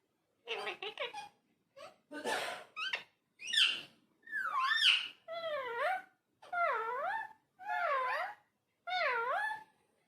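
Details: Talking parrot in a small room: rough, breathy voice-like bursts give way to a series of wavering, moaning syllables that dip and rise in pitch, repeated about once a second.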